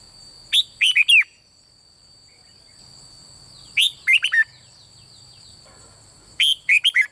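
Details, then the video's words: Red-whiskered bulbul of the bulbul (เบิ้ล) type, sung to prompt other birds: three short bright phrases roughly three seconds apart, each a rapid burst of four whistled notes with a falling finish, against a steady high hum. "เสียงนกกรงหัวจุกเบิ้ล ร้องริก เปิดให้นกฟังยั่วนกดีมาก"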